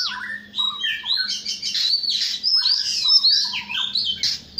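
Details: Oriental magpie-robin singing in the morning: a rich, varied run of sweet whistles, slurred glides and quick chirps, mostly high-pitched and almost without pause, with a faint low hum underneath.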